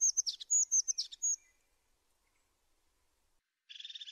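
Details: A tit sings a brief series of high, sharp chirps and short whistles lasting over a second, then after a pause a buzzy, rasping churr.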